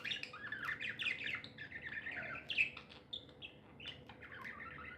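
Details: Happy pet budgerigars warble in a continuous, slurred stream of high chirps and trills, with a few louder sharp notes over a low hum.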